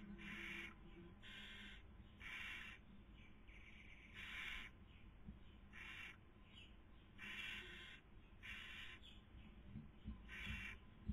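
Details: Barn owls in Cabañeros National Park, Toledo/Ciudad Real, Spain, breeding season 2020, with the female feeding and the male trying to sleep; about nine sharp, wheezy hiss bursts repeated roughly every second.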